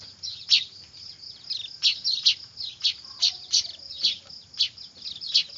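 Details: Young weavers calling loudly, recorded as lure audio: strong rasping high chirps repeat about every half second in a steady, insistent run above a constant high hum.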